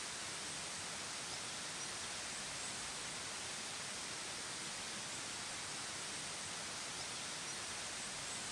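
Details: Only a constant, even hiss of background noise is heard throughout, with no birdsong.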